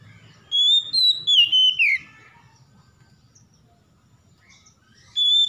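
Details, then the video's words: Stressed Oriental magpie-robin provoked into singing: a bright whistled phrase sliding downward in steps over about a second and a half, followed by a long pause, then a brief high whistled note near the end. "KACER SETRES MALAS BUNYI TERPANCING LANGSUNG GACOR"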